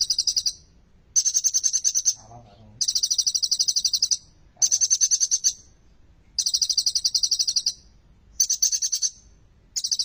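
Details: Olive-backed sunbird with prinia-influenced song, played to encourage silent birds to sing; seven high, fast-pulsed trill bursts in ten seconds, with a brief lower murmur between two of them.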